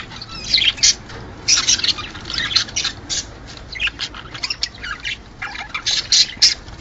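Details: Budgerigars, a breeding pair's mating sounds meant to encourage laying eggs: bursts of harsh, scratchy squawks and chirps in quick clusters, with short pauses between groups.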